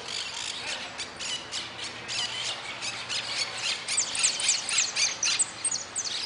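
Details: A European goldfinch singing in an interclub cup contest on 4 March 2018 gives a fast, jingling run of high, liquid twitters and buzzy trills, several notes each second, over a faint background hum.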